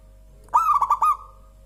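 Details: Single mellow coo phrase from a local-type zebra dove, called perkutut lokal and praised as clear and very soft: four quick rounded notes run together, the last stretched into a gentle trill, over a quiet hum.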